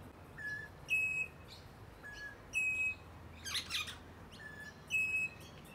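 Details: In a Melbourne eastern-suburbs eucalyptus, a rainbow lorikeet gives clear whistled notes, a low tone then a brighter higher one, in spaced pairs roughly every second and a half, interrupted once by a short harsh broadband burst.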